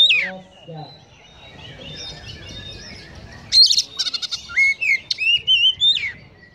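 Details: Oriental magpie-robin in 'konslet' song laced with sparrow imitations; one sharp falling whistle, a long soft gap, then a rattling chatter and a run of loud rising, wavering whistles.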